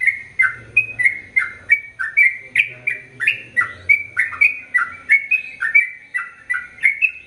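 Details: Long, lively song of a sooty-headed bulbul used as tutor song for both sexes: sweet whistled notes sliding down and up, tumbling out about twice a second without pause, with a faint low background hum.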